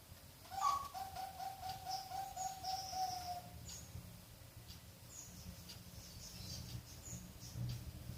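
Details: Bangkok-type zebra dove, six months old, bred on a farm in Ngaliyan, western Semarang, Indonesia, sings a brief higher note and then a quick, even series of mellow cooing pulses lasting about three seconds. Thin high chirps from other birds continue throughout.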